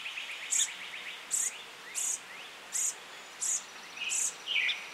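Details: Brown-headed cowbird chick being reared by song sparrows, a brood parasite in the nest; sharp high-pitched bursts repeat roughly every 0.7 seconds, with faint rising twittery notes beneath and a soft outdoor background.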